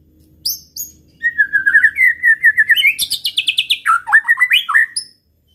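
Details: White-rumped shama singing to provoke rivals, a lively stream of rapid whistled notes sliding and wavering, rising into high chattering bursts before dropping to warbled phrases.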